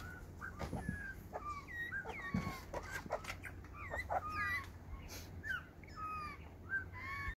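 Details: Begging from hungry butcherbirds: a busy stream of short whistled calls that swoop up and down, some doubled, plus a few higher squeaky notes and clicks, over a faint low hum.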